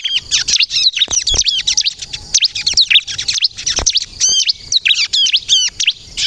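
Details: Bar-winged prinia, ciblek kristal, in lively chattering song used for luring and provoking other birds to answer: rapid high twittering notes, sharp rising and falling whistles and trills in dense bursts with brief gaps.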